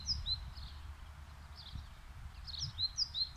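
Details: Spring birdsong in Gomel, Belarus, in April 2021: faint high, thin chirps and short slurred notes come in scattered bursts. Low rumbling background noise is heard throughout.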